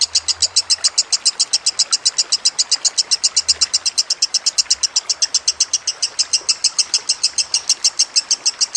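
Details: Lovebird in a masteran recording with trickling water: a continuous rapid trill of bright high chirps, nearly fifty in under nine seconds, with a few faint low bumps in the background.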